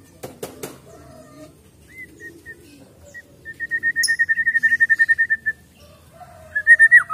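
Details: Wild-caught white-rumped shama singing: soft low notes, then a rapid even series of clear, mid-pitched whistled notes, ending with louder sliding whistles.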